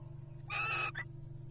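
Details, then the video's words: Little Owl from a wild pair courting at nest boxes, 2023. A rough hissing screech of nearly half a second carries a thin whistled tone, followed by a brief softer rasp. A constant low hum sits behind it. "Whoo's Courting Who? A Charming Encounter Of Little Owl Pairs At Nest Boxes"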